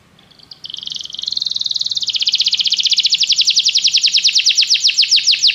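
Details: Canary song used to stimulate other canaries to sing: a high buzzy tone that breaks into a fast, even trill, rising slightly in pitch and growing louder over about five seconds.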